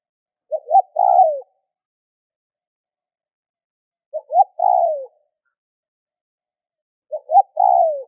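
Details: A spotted dove, tagged as a decoy bird and used to spur other doves into cooing, repeats a soft three-part coo: two short notes, then a longer falling one, about every three seconds against a quiet background.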